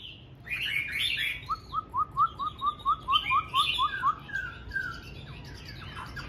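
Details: Chinese hwamei kept at home in a cage, morning song: varied high whistled phrases, then a quick series of about ten short rising whistled notes repeated in a steady rhythm, followed by more warbling.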